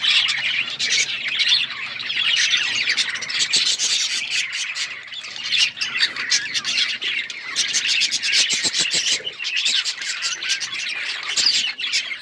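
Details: Long run of pet budgerigar chatter: harsh squawks, squeaks and rapid chirps mixed densely, with bursts of quick clicking taps partway through.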